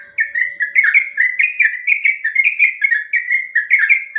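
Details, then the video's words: Yellow-vented bulbul in full rapid 'ropel' song, a training recording for other bulbuls: an unbroken stream of liquid, gurgling whistled notes, each dipping slightly in pitch, delivered in quick succession. "Suara burung trucuk ropel panjang"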